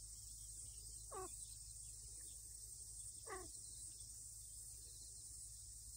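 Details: Two wavering, downslurred chirps from pheasant chicks wandering over a lawn, about two seconds apart, with the hen in distress; steady high insect-like hiss and a low rumble behind.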